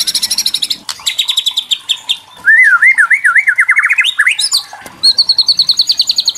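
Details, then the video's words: White-rumped shama (murai batu) kretekan song meant to provoke young shamas into answering: high buzzy rattled notes, a steady 4k trill, then a wavering whistled phrase rising into a fast rattle, ending with another rapid trill. "KRETEKAN MURAI BATU MEMANCING EMOSI - TROTOL & PASTOL LANGSUNG NYAMBER DENGAN CEPAT"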